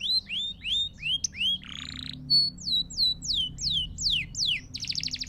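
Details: Pure canary song meant for training chicks and stimulating males in breeding season: quick rising whistled notes, a harsh buzzy burst, then a run of falling slurred whistles ending in a rapid dense trill over a soft low hum.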